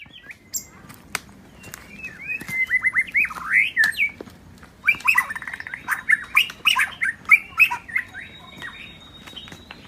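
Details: Wild white-rumped shama singing in a forest in Indonesia: varied whistled phrases of rising and falling notes around mid-high pitch, delivered in two bursts with short pauses and sharp clicks between.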